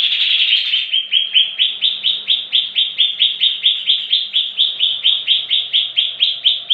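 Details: Greater green leafbird song played as a lure to draw other leafbirds into singing, a fast run of sharp, rising chip notes repeated about twice a second, bright and high-pitched, after an opening rich warble.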